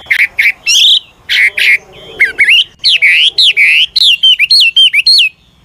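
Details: Seasoned wild-origin Chinese hwamei singing continuously as a decoy to spur newly caught birds; loud, clipped whistled notes in pairs, then a brisk series of rising, hooked whistles about five per second.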